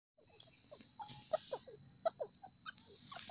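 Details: Female grey francolin calling: a series of short, sharp, chirping notes rising and falling, roughly two to three per second, over faint background hum.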